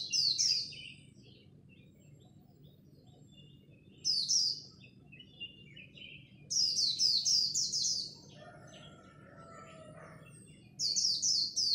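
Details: Japanese white-eye in a dawn singing contest, khuyên líu style, meant to provoke newly caught birds: shrill, rapid, falling note bursts repeat every few seconds, separated by quieter chatter and a soft warbled passage, with a steady low hum.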